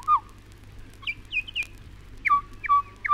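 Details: Pied butcherbird (Cracticus nigrogularis) recorded in Australia (1968 release) sings clear, flute-like whistles, short notes sliding down from high to mid pitch, two or three per second, over a faint low hum.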